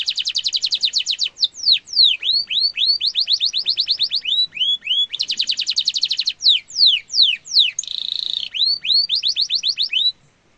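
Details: Canary song meant to train young and adult canaries: bursts of very fast high rolls alternate with slower downward-curving whistles and a short harsh buzzy phrase, ending abruptly in silence.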